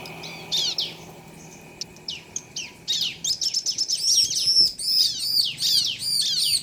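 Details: A pair of bar-winged prinias, male and female, exchanging song: sparse sharp ticks at first, then a fast continuous stream of high, looping chirps.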